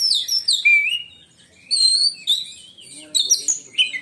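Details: Oriental magpie-robin (kacer), black-and-white form, caged in Indonesia, singing shrilly in 'menyambar' style: descending sweet whistled slurs, a pause, then rising whistles and sharp high chips.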